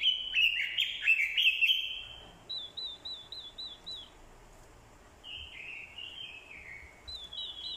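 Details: Orange-headed thrush used as a decoy, female calls provoking fighting song: a loud jumbled warbling outburst first, followed by a series of clear, quivering wavy whistles, a descending slurred phrase and another run of wavering whistles.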